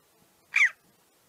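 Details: Red-billed chough (Pyrrhocorax pyrrhocorax) contact call, given in a neutral context to keep in contact: a single harsh, ringing 'chee-ow', a short high burst with a sliding ring; background otherwise quiet.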